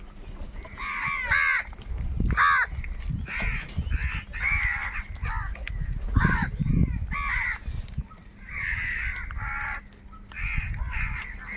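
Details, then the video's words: Very loud crows fighting over food give a steady string of coarse, hoarse caws, often two or three voices at once, with low thuds of the scuffle beneath. "Crow bird Fight for Food | very loud voice of crow sound"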